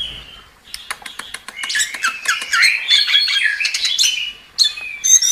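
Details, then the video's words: Anis kembang, the chestnut-capped thrush, giving a soft, rising, warbled phrase in gacor style, preceded by a rapid series of dry clicks, then a sudden sharp high note near the end. "Suara Burung Anis Kembang | Gacor"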